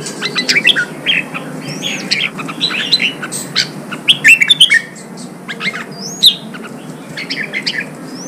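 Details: Training song of the red-whiskered bulbul for contest birds: jumbled fluty warbles and chirps, with a few clear rising whistles in between, over a low steady hum.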